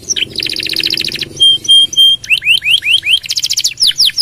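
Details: Gacor canary song full of long nembak runs, used for masteran: a dense buzzy trill, three pure whistled notes, then loud upslurred chirps and a quick fast trill.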